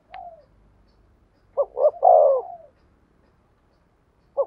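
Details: Spotted dove delivering its thổ sấm style song, a Vietnamese named singing voice: two quick clipped coos lead into one long, rich, slightly falling coo. A lone faint note sits before it and another starts at the end, with quiet gaps between.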